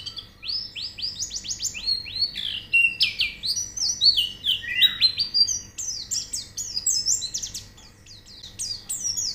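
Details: White-eye song used as training audio to get birds singing: a rapid, continuous twitter of high, sharply slurred whistles, many notes dropping or rising quickly, bursts tumbling together for over nine seconds over a faint steady hum.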